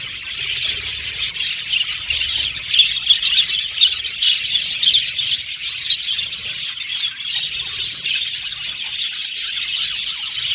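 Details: Many budgies chirping together in an aviary colony, a bright, busy chorus of high tweets and warbles, with a few sharper chirps standing out above the constant chatter.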